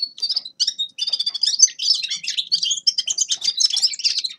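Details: Short burst of Grey-crowned goldfinch song: a quick series of clear piping notes grows into a tight, energetic twitter of tinkling and slightly buzzy syllables, high and continuous.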